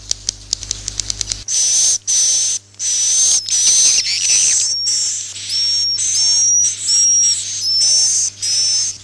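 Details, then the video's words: Swiftlet roosting lure used to attract swiftlets to nest houses: a burst of rapid clicks, then long high buzzy twitters, each carrying a thin whistled note that slides and wavers, repeated back to back with short gaps. "suara inap burung walet"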